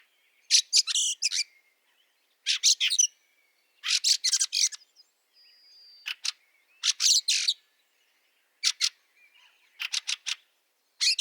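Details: A fieldfare in snow in Liepāja, Latvia, in March 2023, gives harsh, dry chattering chack-chack bursts, several notes at a time, repeated every second or two against a quiet background.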